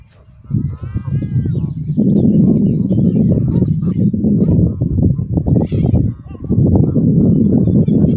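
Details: Canada Goose at Westbroekpark in Scheveningen, The Hague, among waterfowl. Dense, loud, harsh honking bursts crowd together almost without pause, with a brief quieter gap near the end and faint higher whistled notes above.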